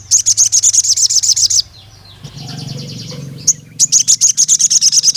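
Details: A crimson sunbird challenging a rival male pours out rapid, very high, buzzy trilled notes for over a second, falls quiet apart from a single chip, then resumes the same fast, evenly pulsed trill.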